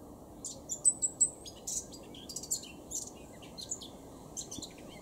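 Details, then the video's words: A blackcap sings quick bursts of thin, high, scratchy chirps and brief whistled notes at about 2:22 pm on 26 June 2016 in Cambridgeshire, UK, over steady low wind or traffic rumble. "Blackcap singing"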